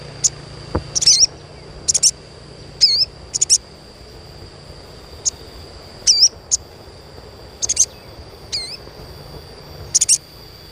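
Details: Asian pied starling chirping, used as a lure to stimulate young birds to sing readily: short high, sharp chirps and wavering whistled notes in scattered bursts over about ten seconds, with a steady faint high tone running throughout.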